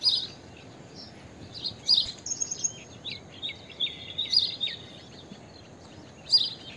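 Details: Blue-tailed bee-eater (Merops philippinus) giving short high rolling chirps at intervals, with another bird's thin, fast stuttering twitter running through the middle and steady background hiss.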